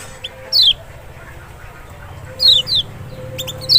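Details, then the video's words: Lemon-bellied white-eye (kecial) as a lure for a bird that will not sing: a few sharp descending high notes, one early and a close pair later, with a faint steady tone behind. "panciangan sepesial Kecial malas bunyi nggak mungkin nggak respon"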